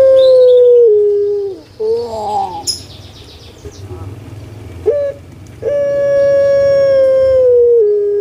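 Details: Puter pelung collared dove, a pet bird of Java, Indonesia, ends a long level hoot with a drop, gurgles with wavering notes, falls silent briefly, then begins another sustained, even hoot.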